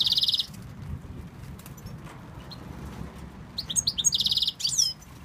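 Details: European goldfinch from Tunisia, a male coaxed by a man, starts with a fast buzzy trill, pauses with faint notes, then bursts into chirps and another buzzy trill with steep downslurs.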